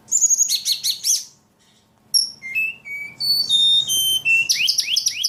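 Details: Ledekan in lively full song: high trilled rattles, a brief pause, then clear level whistles stepping between pitches and a final run of rising buzzy sweeps.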